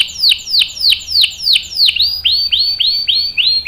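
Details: Canary song used as a tutor and prompt for young birds: loud, clear downslurred notes about three per second, shifting to softer rising notes near the end.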